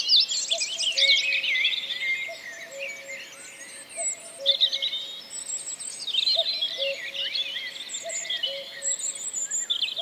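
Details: Common Cuckoo in Wales, recorded April 2004: a steady series of soft low two-note calls, the second note lower, repeated roughly every two seconds while numerous songbirds pour out bright, sweeping whistles and trills overhead.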